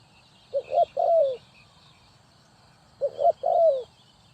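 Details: Spotted dove call used as a trapping lure: two phrases of rising quick notes ending in a long descending coo, spaced about two and a half seconds apart, with faint high bird chirps behind.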